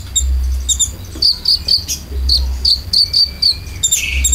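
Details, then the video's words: Konin lure filler song for caged birds, a series of short bright high chips repeated several times a second, ending in a brief buzzy note, with a pulsing low hum underneath. "PANCINGAN KONIN ISIAN"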